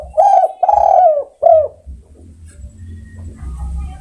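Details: Spotted dove calling its companions with three loud, mellow coos, two long and one short, each dipping slightly in pitch, followed by quiet low rumbling background.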